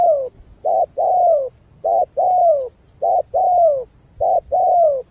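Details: Cooing spotted dove, a bird from Cà Mau, Vietnam, said to have a good song pattern. A steady run of phrases, each a short hoot followed by a longer downward-sliding coo, repeats roughly every second.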